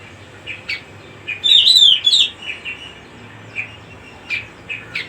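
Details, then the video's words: Cucak rumbai singing a rich, fluting warble of quick slurred whistles in a loud burst, framed by brief high chirps spaced irregularly, with a steady low background hum. "suara kicau burung cucak rumbai"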